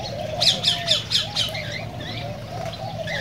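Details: Cockatiel calls played to encourage the birds to sing and breed: five loud harsh squawks about a quarter second apart open the clip over steady low wavering whistles, followed by softer scattered chirps.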